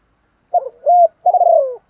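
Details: Spotted dove lure call for training and provoking other doves: a short stuttered coo, a smooth arched coo, then a long buzzy rolling phrase sliding downward.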